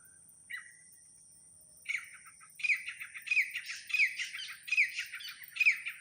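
Red-wattled lapwing giving harsh, strident notes, a few scattered at first, then a rapid run repeating about once a second; a faint steady high whine underneath.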